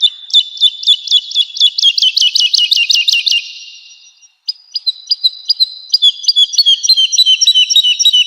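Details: Woodlark singing for a cage-bird training recording: a long fast series of bright, downslurred notes for about three seconds, a short silence, then sharper clipped notes accelerating into a dense run.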